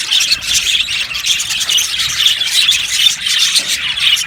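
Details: Budgies in an aviary producing nonstop mingled chirps, warbles and squawks, a thick high chorus from a crowd of birds.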